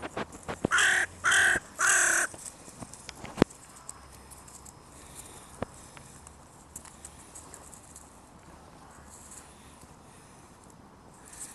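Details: Spring territorial calling by a crow guarding its breeding area in the mating season: three loud grating caws in quick succession at the start, followed by quiet background with scattered clicks and knocks.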